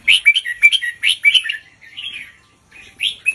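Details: Red-whiskered bulbul tutor bird doubling its song slowly with clear gaps, kept for teaching young birds; quick liquid whistled notes in bursts, a softer trailing phrase, a brief silence, then a fresh start.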